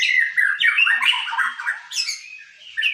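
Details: Young caged white-rumped shama in a bowing posture delivering a dense, fast jumble of chattering and whistled notes, with buzzy high squawks near the end.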